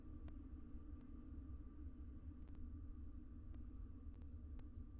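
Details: Quiet low rumble near a barn owl nest with a few faint clicks and knocks scattered through it, and no calls from the owls.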